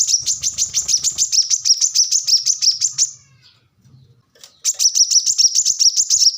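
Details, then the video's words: A gacor-style Plain-throated sunbird (kolibri kelapa, manggar) delivers two long runs of fast, sharp, high-pitched chips, about six per second. A silent pause of over a second separates the runs, and soft low rumbles sit underneath. "Kolibri kelapa | manggar | wiceh | korlap gacor"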